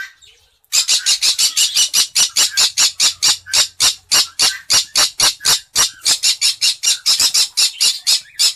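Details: Green-cheeked conure of the cinnamon colour, calling from its breeding cage: after a brief hush, a relentless string of about thirty grating, raspy squawks, roughly four each second, steady in loudness throughout.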